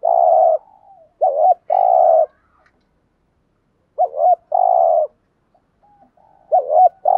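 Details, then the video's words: Spotted dove cooing in gù thúc style, used to draw wild doves into answering: mellow low coos in repeated phrases, each a quick wavering two-part note followed by a sustained hollow hoot, over quiet background. "tieng chim cu gáy bài bản gù thúc bài bản, cu gáy giọng hay mở lên bổi gáy gù mỏi cổ"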